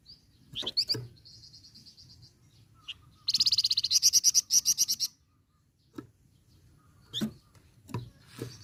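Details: A flamboyan songbird in full song, chirping and rolling, sings high and thin: sharp chips, a short sustained trill, then a fast rattling burst of about twenty rapid notes, followed by scattered chips.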